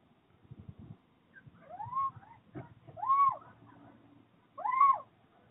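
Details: Little owls mating on a roof ridge, 29 January 2023: three arched, mewing notes, each rising then falling, spaced about a second apart, over low rumbling and faint background noise.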